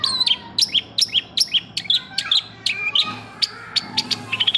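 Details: Long-tailed shrike in full, energetic song with fill phrases: crisp high chirps delivered in quick pairs about twice a second, then a looser run of sharp notes and short trills.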